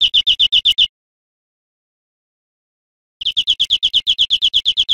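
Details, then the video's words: European greenfinch song for teaching cage birds: a short series of quick, evenly spaced chirping notes, a pause of over two seconds, then a longer run of the same rapid high notes. "Canto Verderon"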